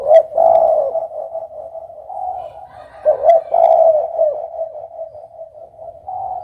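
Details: Spotted dove cooing: loud, low, hoarse coo phrases at the start and again near three seconds, over a steady, softer droning coo that continues throughout.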